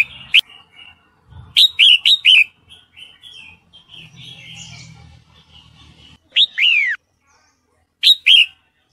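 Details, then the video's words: Bright, slurred chirps in quick groups of three from a female red-whiskered bulbul in breeding condition calling the male, with soft warbling, a long falling whistle and a faint low hum. "MERBAH JAMBUL BETINA MANGGIL JANTAN - SUARA MERBAH JAMBUL BETINA BIRAHI"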